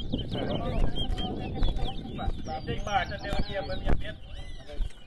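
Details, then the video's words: Competition singing by a chestnut-bellied seed finch (towa towa) at Rosignol in Berbice, Guyana: continuous fast chirps and slurred whistles, ending in a few rising notes, amid heavy crowd noise and occasional knocks. "TOWA TOWA BIRD COMPETITION"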